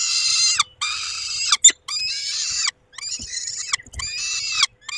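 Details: Peregrine falcon at a nest in Poland, the male tending the females, evening of 23 May: harsh, rasping, strongly layered wailing calls in long bursts of up to a second, with short gaps and a sharp click between them.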